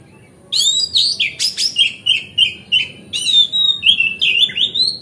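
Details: Oriental magpie-robin (kacer) singing a relaxed, loud 'ngeplong' lure song meant to make other magpie-robins fan their tails; rich whistled phrases, some rising and some falling, with sharp buzzy bursts, notes repeated about every third of a second.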